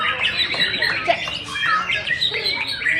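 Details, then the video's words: White-rumped shama without a tail performing at a songbird contest in Sibolga, pouring out rapid, rich whistled phrases mixed with scratchy trills and quick slurs, amid other birds singing nearby. "Murai batu SEMAR tampil memukau tanpa ekor"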